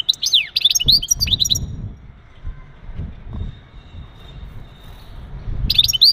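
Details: Breeding-stimulation mating calls of a male European goldfinch: about a second and a half of sparkling twitters and slurred whistles, then low background noise before a final twittering burst.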